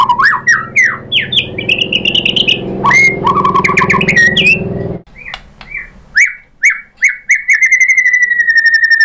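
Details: Rich white-rumped shama song with rapid whistled runs over a low background hum, then spaced clear rising whistles and a closing fast trill, used to draw other shamas into singing.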